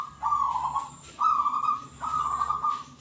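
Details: Three drawn-out, mellow low coos from a local zebra dove, each about a second apart and slightly falling at the end, over a quiet background.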